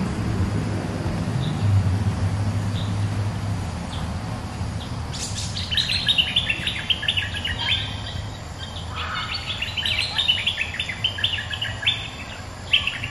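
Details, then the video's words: Low rumbling noise at first, then a resident bulbul bursts into sustained excited chattering song, fast chirps tumbling in pitch as it answers a rival. "เสียงนกดอกแตงEp.209 ถูกคู่ เจ้าถิ่นริก!!กระจายเลย Suara pikat merbah lekir gacor"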